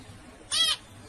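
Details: A single zebra finch call: one short, bright, nasal honk rich in harmonics, lasting about a quarter second against quiet hiss.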